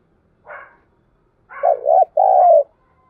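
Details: Spotted dove cooing and calling in the dim light of dawn: a soft breathy note, then two low hollow coos, the last one long and level, with no other sounds around.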